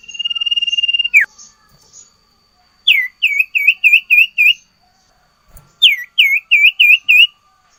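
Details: Sirtu in full song with learned fill phrases, nyiul nyiul style: a long level whistle sliding down at its end, then two bursts of six quick, clear, looping whistled notes each.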